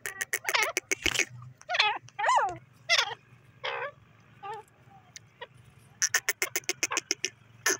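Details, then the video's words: Francolin, known locally as teetar, giving a run of harsh, wavering harmonic notes that rise and fall, then a quick burst of sharp, evenly spaced clicking notes near the end, over a low steady hum. "pheasant teetar bird awaaz"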